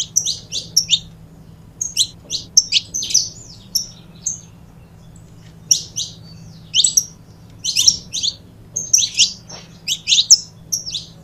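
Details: Pair of saffron finches whose song serves to stimulate other birds: groups of high, sharp chirps repeated in bursts, a quieter stretch midway, then lively clusters again, over a steady low hum.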